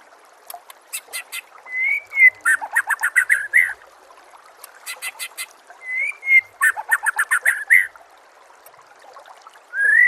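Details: White-rumped shama master song to make other shamas sing; two bouts of a smooth rising whistle followed by fast harsh rattling notes, separated by quiet gaps, with one more whistle at the end.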